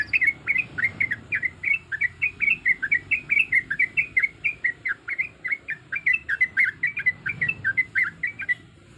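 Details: Female yellow-vented bulbul in breeding condition calling for males, used to lure other birds; an unbroken rhythmic string of bright, looping chirps, roughly three to four per second, for about nine seconds.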